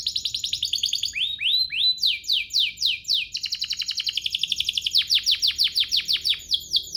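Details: Canary singing to provoke rival canaries into song: a fast high trill, a few rising whistles, then runs of quick falling notes alternating with a very rapid rattle, all bright and clear.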